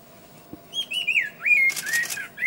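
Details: [1, 'Scarlet-faced liocichla singing: clear whistled notes that slide up and down, joined into a flowing phrase, broken by short bursts of rustling noise.']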